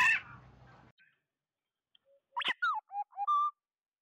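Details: Flock call of an oriole, used as a lure: after a brief rough burst of noise, a single phrase of rich whistled notes follows, finishing on a level sustained tone.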